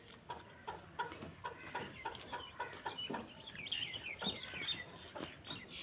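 Black francolins give quick, dry clucking notes about every third of a second, with thin higher chirps from other birds over a busy background.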